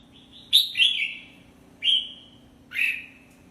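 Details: Red-whiskered bulbul singing: short, bright, whistled phrases with slurred, downward-sliding notes, three bursts spaced about a second apart over a faint low steady hum.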